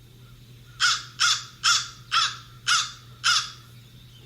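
A crow gives six harsh, raspy caws, evenly spaced about every half second, with a faint steady hum underneath.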